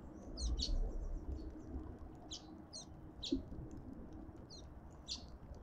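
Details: Short, high, clipped chirps from cut-throat finches visiting a feeder in a Pretoria garden, South Africa, coming in an uneven stream several times a second, over a low constant rumble.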